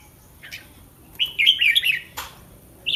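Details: Red-whiskered bulbul kept caged, singing before a competition: a brief chirp, then one rich rolling phrase of fast warbled notes lasting under a second, followed by a sharp click and a last short note.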